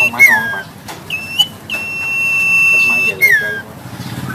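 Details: Black-headed sibia singing while pumping its body, kept as a cage bird. Clear whistled notes, some sliding down, and one long steady whistle held for over a second, over a low rumbling engine and background noise.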